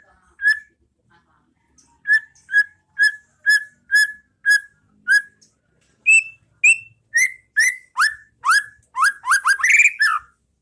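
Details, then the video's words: Clear ringing whistles of a White-rumped shama, meant as a model song for caged birds in the 'pastol ngeplong' style: steady repeated notes about two per second, rising higher, then speeding into quick upward-slurred sweeps. "Masteran Pas Burung Murai batu Biar ikut bunyi"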